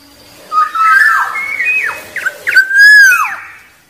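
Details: Song of a wild black-naped oriole, used to provoke rival birds: a fluty warbled opening, a couple of quick downslurred notes, then a strong clear whistle bending up and down.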